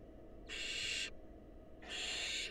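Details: Two drawn-out, noisy hisses from wild barn owls in a nest box, as a male's mouse is passed by the female to a hungry nestling. A quiet gap of about a second lies between them.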